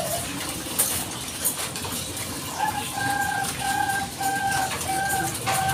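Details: Zebra dove of the Bangkok type calling as a lure to draw replies; about a second of noise, then a steady run of short, level cooing notes over loud hiss.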